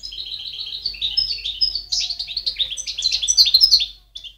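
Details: European goldfinch singing, recorded in 2010: a continuous high, tinkling twitter of quick varied chirps and trills, growing busier and brighter toward the end, with a faint low hum beneath.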